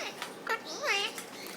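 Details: Indian ringneck parakeet kept as a pet, chattering to its owner: one brief warbling, wavering speech-like phrase with a rising then falling bend, a soft click before it.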